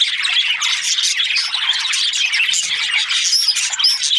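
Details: Budgie flock chatter, dense scratchy chirps and squawks with thin rising whistles standing out toward the end, loud and unbroken.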